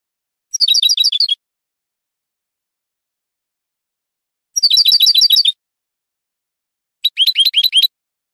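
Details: Training recording of Spanish goldfinch song for cage birds: three bursts of rapid, tinkling repeated notes, the second longest, separated by long silent gaps.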